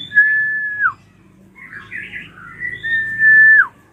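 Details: Ashy drongo used as a singing lure for untrained birds. A long even whistle slurs downward, then a burst of scratchy warbled notes and a second long whistle that falls at its end.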